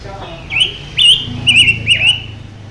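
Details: Silver-eared mesia, a mutant bird, singing hard: a phrase of four bright, slurred whistles, the later ones running together with a wavering quality, over a steady low hum.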